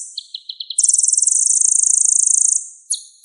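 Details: Sunbird in strong song on a songbird training recording: four quick chirps lead into a long, shrill buzzy trill, followed by a couple of sharp notes.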